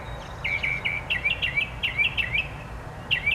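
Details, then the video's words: Bird singing a quick series of short, bright whistled notes, many with sharp upward or downward slurs, in a dense run of about twenty notes with a brief pause before a final pair; faint low rumble of background noise. "Bird Singing - What a Variety of Sounds!"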